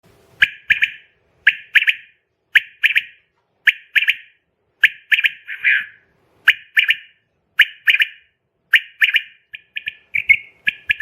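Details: Quail call played at night as a lure for catching quail: clear two- and three-note bursts, sharp and liquid, repeated roughly every second with short silent gaps and no other sounds.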